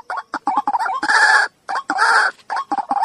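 White-breasted waterhen giving harsh, croaking grunts and short clucking notes in quick irregular bursts, with two longer rasping phrases in the middle.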